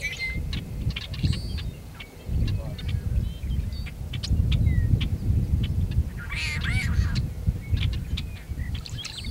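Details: Male tricolored blackbird singing and calling near Kern National Wildlife Refuge, California, on 26 February 2003: a harsh, buzzy, nasal song burst near the end, over many scratchy chatter notes from other birds and a steady low rumble.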